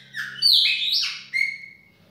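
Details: Chopi blackbird singing a baianinho-style song in a kitchen: a loud rising whistle, a slurred high note and a long clear falling-level whistle, over a faint steady low hum.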